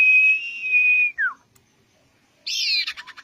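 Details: Common iora song used as bait to prompt another bird to sing: a long, steady, pure whistle of about one second, then a quick downward slur, and after a pause a buzzy, rattling trill that breaks into rapid pulses.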